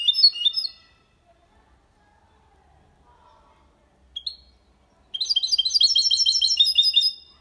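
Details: Goldfinch × canary hybrid (mixto) singing clean, faultless song in the Málaga copy style, used to stimulate females and teach young goldfinches and mixtos: a short twittering burst, one brief chirp, then dense high twittering from five seconds onward.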